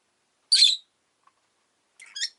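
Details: Pet rosy-faced lovebird on a relaxed afternoon: one harsh, buzzy chirp, a pause, then a shorter cluster of raspy notes near the end, with quiet gaps between.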